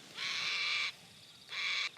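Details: Sulphur-crested cockatoo (Cacatua galerita), crest raised, scolding at a photographer at sunrise before flying to another tree: two harsh, grating screeches, the first long and the second shorter, about a second apart, with a quiet background.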